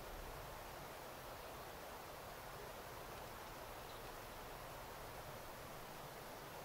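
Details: A steady, even rushing hiss like flowing water or distant traffic fills the outdoor scene from start to end, without any clear animal voice.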